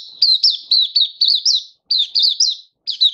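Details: Hobby-kept oriental white-eye singing on 24 February 2023: bright, piercing chirps, each dipping in pitch, delivered quickly in groups of three to six with short gaps.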